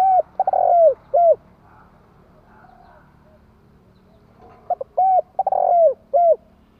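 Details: Kept spotted dove decoy delivering two bursts of deep, mellow coos, short doubled notes leading into a drawn-out vibrating coo and a clipped falling end note, a few seconds of near silence between bursts.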